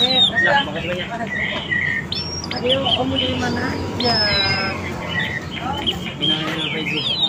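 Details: Oriental magpie-robin lure song for attracting wild and young birds: rich mix of whistles, harsh rasping notes and quick warbles in shifting phrases, with steady low background noise.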